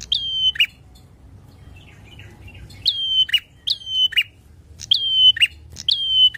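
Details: Lure song of a loud bar-winged prinia that provokes rivals: one high whistle-and-buzz phrase, a quiet pause of two seconds, then four rapid repeats of the same sharp whistled note ending in a scratchy buzz.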